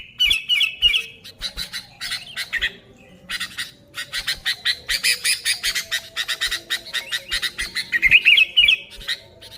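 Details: Noisy sooty-headed bulbul used to attract bulbuls: long stretches of fast harsh chatter broken by short pauses, with bubbly whistled trills at the start and near the end.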